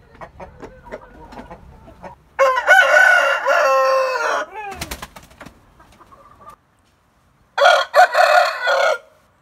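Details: Coop roosters crowing in turn: a strong, raspy crow of about two seconds, a sharp knock, a faint distant crow, and then after a silent pause another rough crow of about 1.5 seconds.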